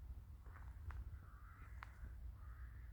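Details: Crows in a village in winter; harsh drawn-out cawing notes rise above a heavy low rumble, with a couple of sharp thumps or footstep-like knocks in between.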